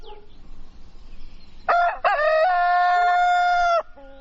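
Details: Dawn crow of a rooster over a low, steady background hum: a sharp two-part opening, then a sustained, level, ringing note lasting about two seconds that cuts off abruptly.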